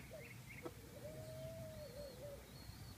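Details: Ringneck dove coo: a short opening note, then a long, steady, mellow note that ends in a wavering, rolling tail. Small birds twitter briefly above it, with a low background hum.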